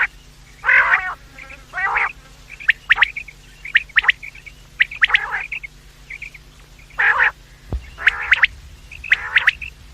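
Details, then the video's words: Quails in the morning and evening, recorded to draw them in for trapping: irregular grating rasps mixed with many sharp high chirps and brief paired clicks. "The best sound of quails in the morning and evening , bater ki awaaz,batair ki awaz,Bedananing ovozi"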